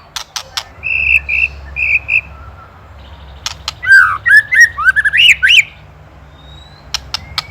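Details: Master song of a white-rumped shama from Indonesia, used to train songbirds: isolated sharp clicks, paired flat whistles, then a quick sequence of swooping rising notes, with faint background hiss and low hum.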